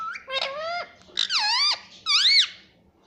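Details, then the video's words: Rose-ringed parakeet kept as a pet, saying "mummy" three times in quick succession as loud, ringing, rising-then-falling whistled syllables, each under a second long. "Talking parrot || talking parrot mummy papa || bolne wala tota"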